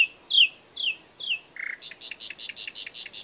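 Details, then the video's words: Nightingale singing: a few clear whistled notes slurring downward, a short buzzy note, then a rapid run of high, evenly repeated chips about six per second. "It turned out to be a nightingale"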